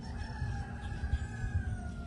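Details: A chicken at a livestock farm and cattle market near Clewiston, Florida, USA, crows in a long, drawn-out, slowly falling note held about two seconds, faint behind a steady low rumble of wind or traffic.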